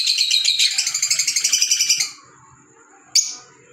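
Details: Green Fischer's lovebird, a pet African lovebird, makes a rapid, raspy chattering run of about a dozen pulses over two seconds. It then falls quiet and gives one sharp, piercing chirp, with a thin steady whine in the background.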